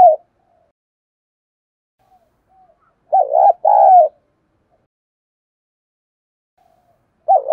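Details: Decoy spotted dove, 'giọng thổ' voice, calling to pull in wild doves: one full phrase of a quavering short coo and a longer steady coo, framed by fragments of neighbouring phrases and silence.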